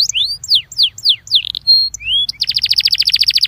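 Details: Singing Belgian canary, a recording used to warm up canaries. A series of falling slurred notes leads to a steady held whistle and an upswept whistle, then a rapid, even rolling trill.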